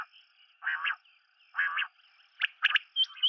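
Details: Common quail giving two broad, harsh, nasal notes about a second apart, followed by quick sharp clipped notes rising in pitch.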